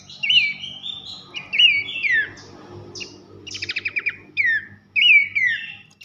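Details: Pelanduk semak, Horsfield's babbler, giving loud whistled nyiul phrases for training contest birds: looping slurred whistles, a burst of rapid trilled notes mid-way, then more ringing whistles, over faint low noise.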